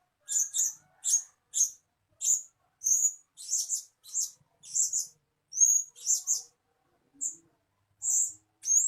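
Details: {'caption': 'Lure calls of a blue-crowned hanging parrot for attracting birds. Crisp, very high tsit notes are repeated steadily about every half second, some doubled, with a few rising squeaks toward the end.'}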